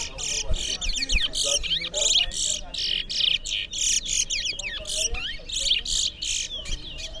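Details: At a Berbice singing competition, towa towa seed finches pour out continuous buzzy, rasping bursts mixed with quick slurred whistles, repeated almost without pause.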